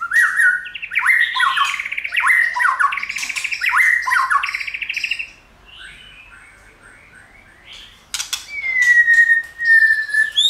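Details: White-rumped shama song used to stimulate shamas in training, the bird also tail-flicking: five seconds of fast varied whistles, slurs and rattling trills, a near-silent pause, then scratchy notes and a long, level, slightly falling whistle.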